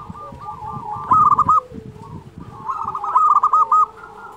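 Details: Lively local zebra dove singing, used as a master recording to train slow-singing doves and to lure and stir rivals. Two bursts of fast, rolling coo notes, with low rustling and a second softer cooing voice underneath.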